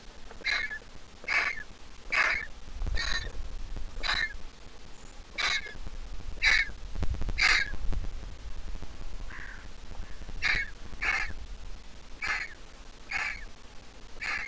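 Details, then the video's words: Nearly grown Griffon vulture nestling squeaking: a long run of sixteen or so short, sharp squeaks, roughly one every second, some louder than others, with low rumbling noise like wind or handling underneath. "The Griffon Vulture nestling is all grown up but still a squeaker."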